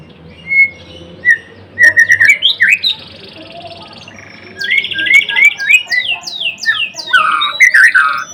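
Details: White-rumped shama, the Blorok variety, in energetic full song: scattered whistled notes and buzzy trills, then a fast run of loud descending slurred phrases with rich varied notes in the second half.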